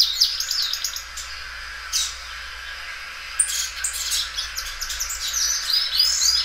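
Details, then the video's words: Belgian canary, a well-kept loud singer that stretches its song repeatedly; broken bursts of high chirps separated by brief pauses, with denser twittering and whistled sweeps in the second half. "canário belga dobrando o canto."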